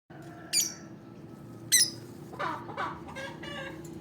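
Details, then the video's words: Olive peach-faced lovebird giving two sharp, high, piercing chirps about a second apart, followed by a run of softer, lower, rasping chatter notes over steady low background hum. "Olive peach faced lovebird chirping sound"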